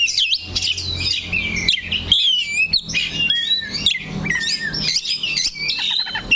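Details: Oriental magpie-robin staying put on one point of its perch. It delivers fast, varied phrases of clear whistles, wavering slurs and sharp chips, many notes rising and falling, with a soft low hum behind.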